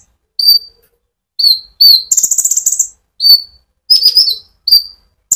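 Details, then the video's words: Konin, or brown-throated sunbird, in energetic 'ngerol' song to stimulate olive-backed sunbirds. Spaced, high, slurred whistles are broken by one rapid buzzy trill. "pancingan Burung Konin gacor ngerol untuk kolibri ninja ijoan sampe metalik"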